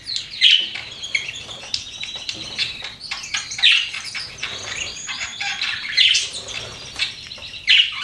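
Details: Pet budgerigars chirping: bright, scratchy chatter of short tweets with brief louder squeaks, broken by faint fluttering and rustling.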